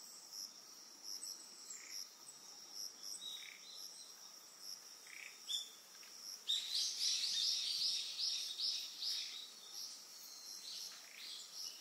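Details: Eastern yellow wagtail on Amami Oshima, Japan: a burst of thin, high, buzzy chirps repeated rapidly for about three seconds. It rises over steady pulsing cricket trills that fill the background throughout.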